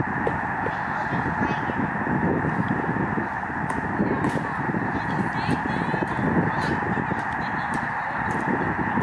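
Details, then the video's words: Canadian snow geese in a migrating flock on Lake Springfield in Springfield, Illinois: an endless, dense babble of honks and yelps, loudness swelling slightly in places, with occasional distinct higher calls above it. "Murmuration Of Canadian Snow Geese"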